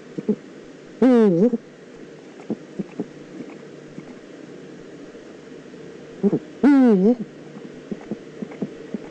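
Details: Eurasian eagle-owl recorded in the Eifel on 9 September 2014, giving two loud, raspy calls roughly five seconds apart. Each call dips and then rises, carrying rich overtones, and faint knocking clicks sound in the background.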